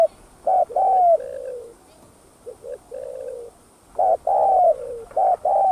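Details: Spotted dove cooing to attract other doves: loud hollow coos sliding down into softer trailing notes, a quiet pause with low short coos, then the louder phrase again.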